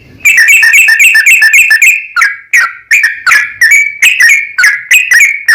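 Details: Sooty-headed bulbul in a long 'ropel' singing bout, used as a lure to make other bulbuls sing and answer. A fast, tumbling run of bright chattering notes gives way to loud, separate downslurred whistles roughly twice per second.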